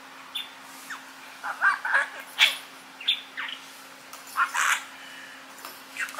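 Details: Five-year-old male pet budgerigar from Mie Prefecture, Japan, which mimics its owners' Kansai-dialect speech, chattering in short scratchy, warbled bursts of varied pitch, some with rapid squiggly trills, separated by brief pauses over a faint steady hum.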